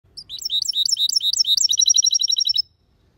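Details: Caged European goldfinch hybrid singing a clean, loud song: rapid high twittering notes that shift into a fast, even trill of repeated chips, about 2.5 seconds long, with no other sounds.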